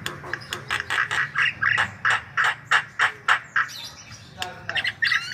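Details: White-vented myna pouring out nonstop song to spur other birds: regular, rasping, squawky notes repeated several times a second, broken near the end by shorter, higher, twisting whistles.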